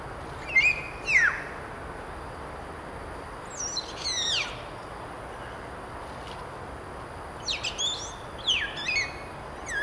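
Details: Common hill myna calling in short bursts of piercing, steeply falling whistles, each burst a cluster of two or three notes separated by quiet pauses, over a faint steady hiss.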